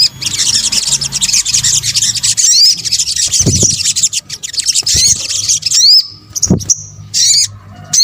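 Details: Sunbird, called sogok ontong in Indonesia, in a lure recording. Steady high twittering chatter gives way near the end to separate sharp rising whistles with silent gaps and a couple of low bumps.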